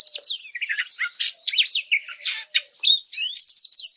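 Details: Oriental magpie-robin song for training other birds and making them agitated: a fast, unbroken run of varied high chirps, whistled slurs and harsh buzzy notes, ending in a rapid rising trill.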